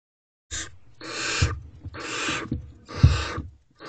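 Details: Barn owl owlets in a nest box on 14 May 2023 at 1:07 am, one preening a sibling while another holds a mouse: four long, harsh, broadband hissing bursts, each about half a second to a second, with scuffling between.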